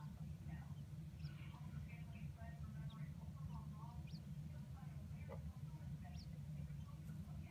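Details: Indoors in a sandbox, an adult Chinese blue-breasted quail of the black-and-white Darth Vader variety makes contented calls: brief high upward-sweeping peeps and soft twittering notes at uneven intervals, with a television droning low in the background.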